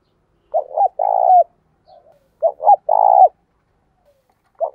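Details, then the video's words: Lure spotted dove, a caged decoy for prompting wild doves to coo, in thổ sấm and thổ bầu voice; two phrases, each a quick hiccuping pair of notes and then a sustained throaty coo ending in a downward slur. "Chim Cu Mồi - cu gay kich boi nhanh noi gù"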